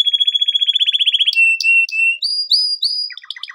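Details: Male canary singing for training, a fast trill of repeated notes, then long clear whistled tones with sharp high clicks, a rising glide and a buzzy roll at the end; clean recording without other sounds.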